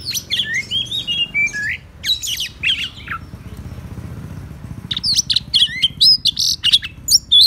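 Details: Oriental magpie-robin song in quick, varied bursts of high whistles, chirps and buzzy trills, used as a lure to draw out rival birds, over a steady low rumble.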